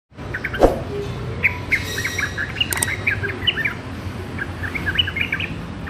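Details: Young sooty-headed bulbul learning its song: a loose run of short, chirpy, slurred notes scattered irregularly over about five seconds, over a steady low background rumble with one sharp click near the start.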